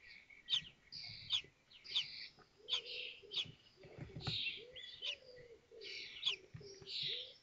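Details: Nestling common kestrels in Théding, 19 May 2024, while a sibling hatches and the others take their meal. Sharp high chirps repeat irregularly about every second, with lower drawn-out tonal notes and soft rustling beneath.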